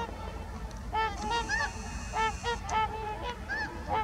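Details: Several trumpeter swans in Heber Springs, Arkansas, giving loud, nasal, horn-like honks in overlapping bursts, some notes bending upward, about one call every second. Low background rumble underneath.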